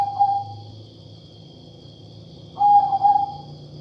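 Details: Katuranggan majapahit perkutut, a zebra dove with a voice unlike the usual: the tail of one coo, then after a pause a fresh phrase of rapid pulsed notes settling into a sustained mid-pitched tone, faint whine in background.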